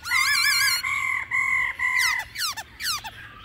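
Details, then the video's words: Laughingthrush singing in a wild-forest voice style with a female's calls, heard as loud, clear, level whistles with wavering ends, then quick falling slurred notes repeated about twice a second. "Khứu hót giọng già rừng kèm tiếng mái"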